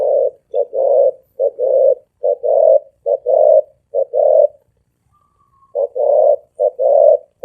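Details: Spotted dove cooing rapidly with a deep, booming voice: loud low double-noted phrases repeated steadily around seventy times a minute, broken by one short pause midway, with a faint thin whistle during the gap.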